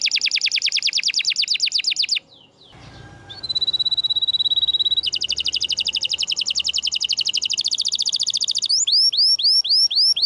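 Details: Canary song used to train quiet canaries: rapid high buzzy trills, a short pause, a sustained level whistle, another long fast trill, then repeated arched whistled notes.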